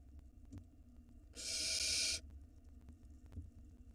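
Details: Barn owl nestling at the nest entrance in Israel, recorded by a live nest camera in 2022. One loud, breathy hiss of under a second rises out of quiet hum with faint ticks.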